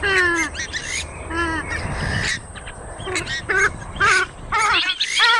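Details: Oriental reed warbler calling: loud, harsh croaking notes with rich harmonics, delivered in irregular bursts of two to three rapid phrases separated by short pauses, over a low background rumble.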